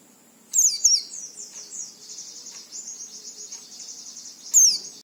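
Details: Oriental white-eye song for coaxing other white-eyes to sing: a sharp twittered burst, then a long, wavering high trill, ending with another brief loud descending twitter.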